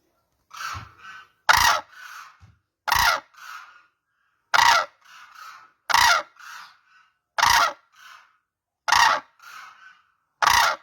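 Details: Crane calls in a steady series: eight loud, rasping trumpet notes spaced roughly one and a half seconds apart, each trailed by one or two quieter, muffled notes.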